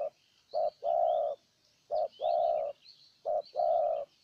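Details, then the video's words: Spotted dove kept as a decoy in Ninh Thuận, Vietnam, cooing to lure a wild dove. Three short-then-long coo pairs, the long notes steady and hollow, over faint high-pitched chirps of other birds. "Cu Gáy Ninh Thuận clip 144 [ Hiệp 2 ] Mồi Siêu Gù thu phục bổi quá tuyệt vời"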